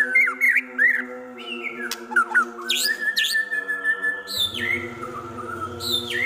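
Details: White-rumped shama singing a song filled with imitations of prinia, kapas tembak and eagle: quick varied whistled notes, squeaky upslurs and sharp harsh bursts, over a steady low humming drone with a buzzing rumble near the end.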